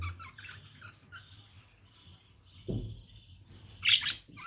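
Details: Lovebirds chattering in steady buzzy, high-pitched twitters, with a dull knock partway through and a loud, shrill squawk near the end.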